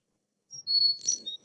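A Carolina chickadee gives a brief run of high, pure whistled notes, the last dropping slightly, over a faint low murmur.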